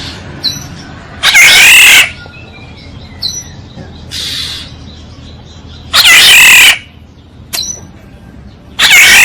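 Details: Black-naped oriole decoy call: three loud, harsh nasal calls repeated roughly every three to four seconds, with soft short whistles and faint chirps in between.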